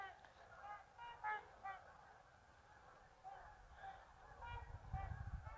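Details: Goose honks come in uneven bursts as the birds leave the marsh for an afternoon feed. Low wind rumble rises toward the end.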